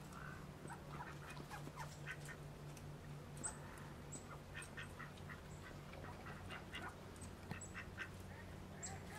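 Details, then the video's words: Brown creeper filmed in Western Canada: thin, very high, short notes at scattered intervals, with softer lower chips and clicks beneath and a steady low hum throughout. "Brown Creeper (Certhia americana)"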